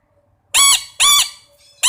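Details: Red-breasted parakeet giving loud, piercing screeches, two drawn-out harsh cries about half a second apart, then the start of a third.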